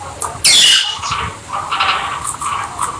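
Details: Rosy-faced lovebirds, or peach-faced lovebirds, kept as pets and playing together indoors; one loud shrill screech followed by a run of softer chattering squeaks and chirps.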